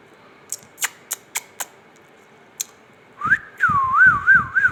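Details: Ringneck parakeet talking: a series of sharp clicks, then a clear whistled phrase that rises, swoops down and wobbles through several even loops.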